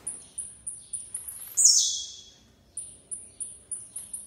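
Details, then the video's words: Blue-black grassquit song, five quick high ticking notes leading into a loud buzzy downward slur, a short pause, then another rapid series of thin high notes. "TIZIU DANDO UM SHOW"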